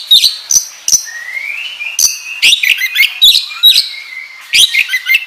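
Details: Lure recording of a kacer, the oriental magpie-robin, singing 'ngobra' style: crisp high chips and scratchy notes, with clear sliding whistles that rise slowly and hold between the louder bursts.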